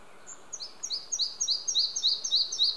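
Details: Singing male Red-breasted flycatcher recorded with an Olympus OM-D E-M5 II at Hunneberg Nature Reserve, Västergötland, Sweden, June 5 2015: a high note, then around nine crisp, repeated two-part phrases, quickening and steady, over near silence.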